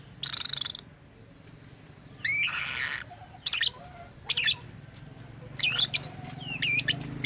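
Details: Pet lovebird giving odd, varied calls said to imitate human speech: harsh buzzy bursts and sharp rising chirps with whistled upslurs, scattered through the clip over a low steady hum.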